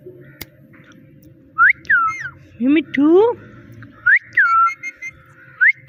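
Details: Talking parrot repeating its word "Mitthu": clear whistled two-part syllables that rise sharply and then fall, heard three times, plus two lower, harmonic, upward-sliding cries in the middle. A steady low hum runs underneath.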